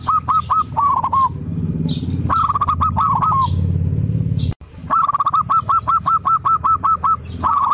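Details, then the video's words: Local zebra dove cooing, played to prompt a lazy bird to sing: rapid series of short hooked coo notes in quick trills, broken by a pause, over a steady low rumbling hum. "PANCINGAN PERKUTUT MALAS BUNYI"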